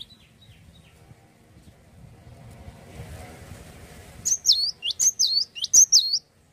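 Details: Cinereous tit singing actively: near-quiet start with faint high notes, then from about four seconds a fast run of five loud, sharp whistled phrases, each a quick upward and downward sweep, with a faint low rumble underneath.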